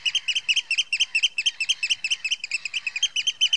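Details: Eurasian oystercatcher alarm calling at Heybridge Basin, Essex: shrill, piping notes repeated rapidly in a steady, insistent series, several per second, with no other clear sounds.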